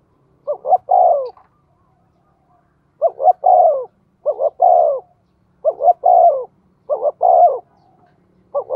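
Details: Spotted dove acting as a decoy bird, thổ-style voice. About six three-note coo phrases, short-short-long with the long note sliding down, are heard. Gaps are irregular, from one to two seconds, in a quiet setting.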